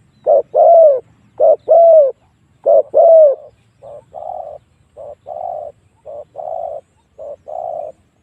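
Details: Spotted dove lure call used to draw wild doves in to fight: pairs of low cooing notes, a short coo then a longer, slightly falling croo, repeated about every second, growing softer toward the end.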